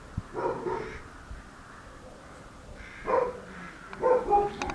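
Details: Crows calling in Mužlja around Christmas 2016: a few hoarse, harsh caws come in short bursts separated by quieter gaps, over low rumbling background noise.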